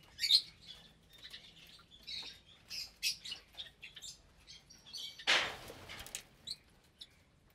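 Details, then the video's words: Caged colony of about 25 lovebirds, several colour mutations, breeding and raising chicks, at meal time: sharp, high chirps and squeaks at irregular intervals, with one broad, noisy rustle or clatter partway through. "Lovebird Meal Time"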